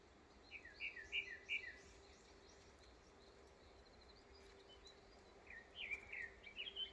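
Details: Vinous-throated parrotbills give two bursts of high, rapid, chattering twitters several seconds apart, over a steady low hum, as a rat snake raids their nest.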